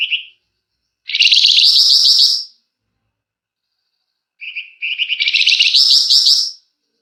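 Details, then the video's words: A flamboyan in vigorous song, used to prompt birds to sing. Two long, fast, buzzy trilled phrases each open with short high notes and are separated by a gap of about two seconds. "Burung Flamboyan GACOR Ngebrenn RAPET PANJANG!! Nyecrett Emosi Cocok Buat Pancingan"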